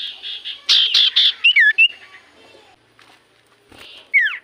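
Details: Lure recording of common iora song meant to make quiet birds reply: buzzy rasping notes, then a cluster of loud chattering bursts with short slurred whistles, a pause, and a final downward-curving whistle.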